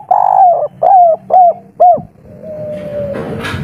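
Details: Spotted dove, a local kuk 3 style bird singing lustily with a soft voice: four mellow coos, the first long and sliding down, the rest shorter. A faint hum and a brief clatter follow.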